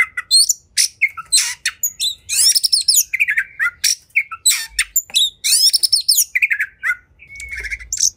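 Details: Oriental magpie-robin (kacer) in an emotional fighting song: rapid sequences of sharp chips, raspy buzzy trills and short slurred whistles, repeated in punchy bursts.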